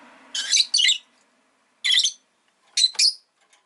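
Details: Pet rosy-faced lovebird uttering sharp, grating double chirps, then a single squawk and another paired burst, with faint low background hum at the start.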